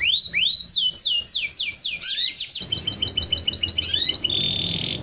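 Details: Canary song used by breeders to stimulate mating and egg-laying: repeated descending whistled sweeps, then fast buzzy trills with rolling high notes, continuous and bright, with a low hum in the background.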